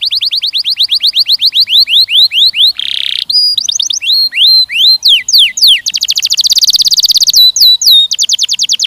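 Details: Canary song aimed at mating training of young males and females. Evenly paced downward whistles give way to a brief harsh buzz. Varied swooping notes and a rapid rolling trill follow, ending in sharp descending whistles.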